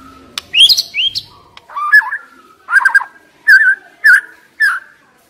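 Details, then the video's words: White-rumped shama decoy bird giving rising whistled notes, then a series of rich, mid-pitched burry phrases repeated about every half second with clean gaps between them. "Chòe lửa mồi hót cực hay"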